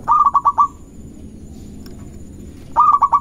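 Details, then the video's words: Zebra dove, local type, using its song to provoke opponents: two brief phrases of four to five stuttering, mellow coos separated by a pause of about two seconds, with faint background noise. "Perkutut Lokal Gacor Cepat Bikin Emosi Lawan"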